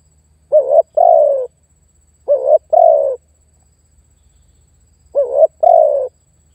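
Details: Spotted dove used as a lure to attract and pressure a rival, uttering three two-part coo phrases, a brief upslurred note followed by a drawn-out descending coo, spaced by pauses of one to two seconds, no other sounds.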